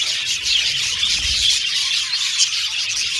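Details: Budgerigars in an aviary chirp and sing; a short burst of bright, overlapping high chirps and warbled notes from many birds, with a soft low thump partway through.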